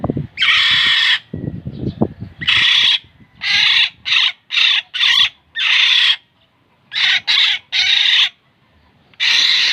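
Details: Black-naped oriole (kilyawan) repeating harsh, buzzy, nasal rasps, about ten bursts in ten seconds, some paired closely together, with soft low thumps in the gaps.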